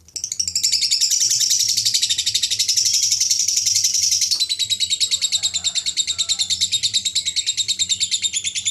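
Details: A lovebird's long ngekek, the chattering song judged in contests: a loud, dense high trill for about four seconds, then continuing as clearly separated rapid pulses, roughly three a second, never pausing; faint low hum behind.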